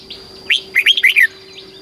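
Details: Single phrase of red-whiskered bulbul song from Thailand, meant to excite and train caged birds: five quick, rich whistled notes, rising then dipping, delivered within about three-quarters of a second over a faint steady hum.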